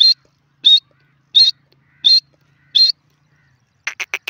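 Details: A grey francolin in a jungle: five short, high whistled notes at steady intervals, followed by a quick burst of sharp clicking notes.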